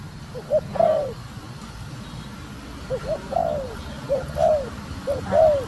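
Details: Female spotted dove calling to stimulate the male, a run of soft two-part coos, a short note then a falling slurred coo, repeated about once a second, fairly quiet above low-frequency background noise.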